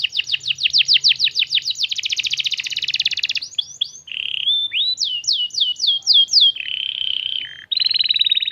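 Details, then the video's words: Young domestic canary singing a lure song meant to prompt other canaries to answer: fast high rolling trills, then swooping whistled notes repeated in short bursts, a steady buzzy trill and a closing rapid trill, with no other sounds. "PANCINGAN KENARI PAUD Langsung Nyaut Nggak pake lama"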